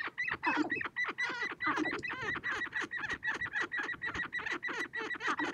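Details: Sharp-tailed grouse dancing and fighting on a prairie hilltop in spring to attract females: a fast, steady series of loud cackling calls, roughly four per second, from several birds calling close together.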